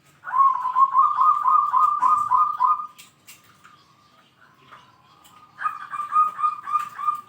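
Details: Zebra dove in full voice with a big 'kung' call, said to excel at calling out rivals and suited as a tutor for other doves: a rapid trilled coo lasting about two and a half seconds, a pause, then another trilled phrase.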